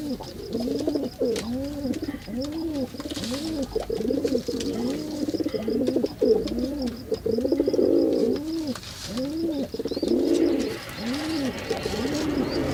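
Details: Male pigeon performing a long run of deep, rounded coos, about one each second, every note rising and falling in an arc. Faint hiss and brief noisy bursts sit behind the calling.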